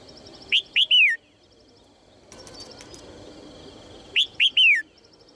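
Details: Female red-whiskered bulbul calling to encourage male song: two identical phrases about three and a half seconds apart, each a pair of quick upslurred notes ending in a long falling whistle, with soft background bird ticks.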